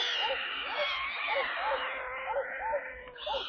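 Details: Stork chicks in their nest in Kaluga Oblast, Russia, being brought water on 28 July: a steady series of soft, arched notes about every half second over continuous hissing noise.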